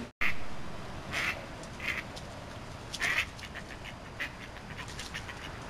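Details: Domestic ducks in a backyard squabble, two males chasing a female and then each other: loud harsh quacks in short separate bursts, about four across six seconds, with quieter calls between and steady background hiss.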